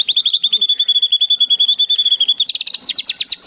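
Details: White-rumped shama mimicking sparrows and shrikes in song: a quick even trill of clear high notes for over two seconds, breaking into louder, scratchy, chattering downslurred phrases.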